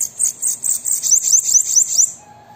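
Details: High, wheezy song of a bananaquit, meant to stimulate a kept bird to sing: a quick series of thin sizzling notes turning into repeated downslurred zips, then fading, with a soft low whistle at the end.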